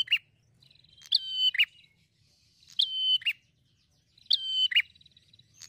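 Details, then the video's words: Lure recording meant to draw a reply from any prinia: three bright phrases spaced about one and a half seconds apart, each starting with dry ticks, holding a thin high tone, then dropping in a short downward slur. "jamin langsung nyaut prenjak jenis apapun"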